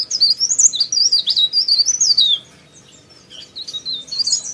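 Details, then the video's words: Sooty-headed bulbul pouring out a rapid high warble of rising and falling chirps for two seconds, a short lull, then more twittering notes. "PARE PARE GACOR"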